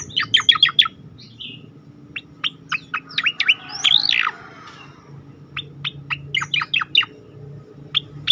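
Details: Striated grassbird (cicakoreng) delivering 'tembakan' bursts for mastering other birds: a rapid opening volley of sharp notes, scattered chips, a buzzy descending slur near four seconds, then more staccato clusters to the end.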